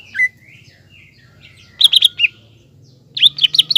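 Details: Green leafbird singing to provoke a young spotted leafbird into a fighting mood; a soft slurred whistle, then two short clusters of quick, bright chirping notes over a faint low hum.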